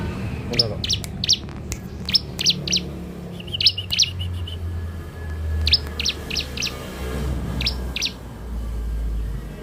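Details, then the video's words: Young bar-winged prinia (ciblek dakun), used as a lure bird, giving sharp high chirps in quick clusters of two to four, with brief pauses between groups and a low rumble of traffic underneath. "Ciblek dakun muda pikat mantap"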